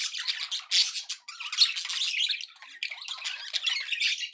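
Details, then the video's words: Budgies in good spirits chattering: scratchy high warbles and squeaks in dense bursts, with a brief dip in the middle. "happy budgie sounds"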